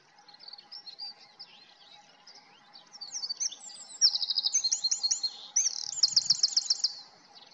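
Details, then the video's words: Eurasian wren building from soft, scratchy twitters into a loud, rapid song of ringing trills and repeated notes, with brief low knocks near the end. "OCELLS CANTANT - Cargolet - Chochín - Eurasian Wren - Trogodytes troglodytes"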